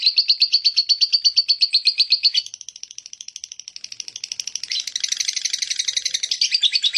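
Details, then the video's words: Lovebird in full, energetic chattering voice, a dense run of rapid, harsh high chirps repeated nearly three times a second, dropping briefly quieter mid-clip before resuming louder and more crowded. "Ngekek makin gacor love bird"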